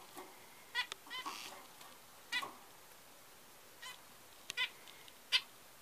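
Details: Zebra finch chick about six hours old: sparse, brief, faint high cheeps with a harmonic edge, arriving in short bursts separated by quiet gaps over a low background hiss.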